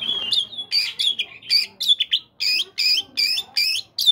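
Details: Oriental magpie-robin in a morning session that prompts caged birds to sing: loud, scratchy, whistled phrases repeated roughly every third of a second in a steady, energetic stream.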